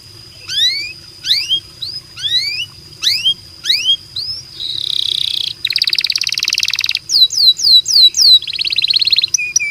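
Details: Canary song used to prompt other canaries to sing: upward-sweeping whistled notes repeated in series, then a buzzy rattling roll, falling whistled slurs and a fast trill, with a steady high background tone.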